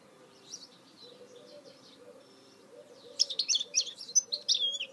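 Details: Goldfinch mule singing: faint soft twitters at first over a low steady hum, then a loud burst of fast, bright chirps and warbled trills in the second half.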